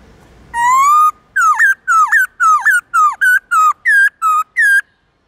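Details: White-cheeked laughingthrush singing forest-style song in the morning as a model for young birds. A long steady whistle opens, followed by about ten rapid hooked notes at an even pace.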